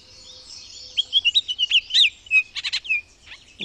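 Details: Baltimore Oriole song rich in different sounds, from spring migration birding in southern Quebec: a string of rich whistled slurs and twisting notes mixed with a few buzzy chatter bursts, over faint background hiss.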